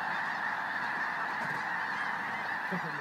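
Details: A large flock of snow geese in South Dakota, its many voices merging into a dense, unbroken chorus of overlapping nasal honks with no pauses.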